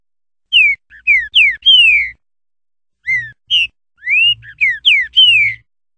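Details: Green-winged saltator, a wild songbird prized in Brazil for its song, singing one song variation: two phrases of loud clear whistles, each a run of falling and rising slurred notes ending in a longer descending whistle.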